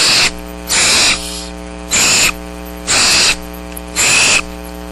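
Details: Downy barn owl chicks at Starr Ranch wait for food on a rainy 6 March 2010. They give long, harsh snoring hisses, each over half a second, repeated about once a second over a steady electrical hum.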